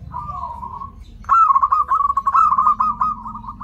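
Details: Zebra dove giving a lure call to bring in others of its kind: a soft even coo, a brief pause, then a loud rippling series of quick stuttered coo notes running to the end.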